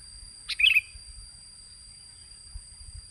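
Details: Sooty-headed bulbul phrase played to lure birds: a short burst of liquid, gurgling notes lasting under half a second, then quiet with a constant high-pitched tone in the background.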